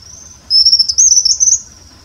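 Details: White-throated kingbird (Tyrannus albogularis) song: a single high, thin, buzzy trill lasting about a second, wavering slightly and rising toward the end, over a quiet background.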